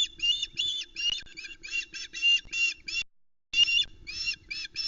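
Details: Loch Arkaig osprey female shouting from the nest edge after the male's fish delivery, July 2020; loud, strident, closely packed squealing notes in a long run, a brief pause, then more.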